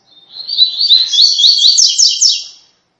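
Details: Rusty-collared seedeater in the tui tui song style for training caged birds: a single phrase that swells from soft notes into fast, repeated, upslurred high chirps and ends in buzzy strokes.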